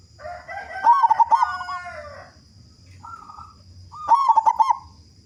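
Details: Local zebra dove with a big, prolific voice, used as a lure to prompt other doves to sing: bursts of pulsed, bubbling coos, the first long and layered, then a short note and a second trilled cooing phrase.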